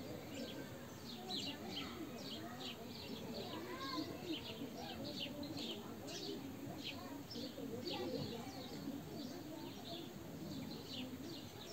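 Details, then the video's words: Sparrows chirping among olive trees, recorded on a Xiaomi Note 8 Pro phone: a steady stream of short, high, scratchy chirps from several birds, with soft lower cooing and background murmur underneath. "صوت العصافير بين أشجار الزيتون"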